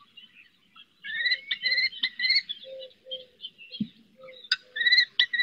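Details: Common kestrel in the Riet Vell Nature Reserve, Ebro Delta, where a female calls from a rooftop to her eldest chick attempting its first flights from a perch: quick runs of sharp, whining notes, several per second, in two bursts, with softer lower notes and one thud.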